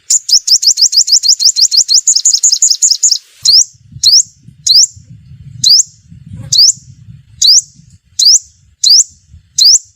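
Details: Sunbird lure call for trapping: a fast series of high rising chips for three seconds, then single sharp upslurred notes repeated about once a second over faint low rumbling.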